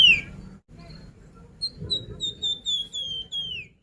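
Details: Sunda pied fantail, recorded as a singing lure: after a sharp opening chirp and quiet, a string of about eight high clear whistles follows, evenly spaced and drifting downward, ending in a falling note.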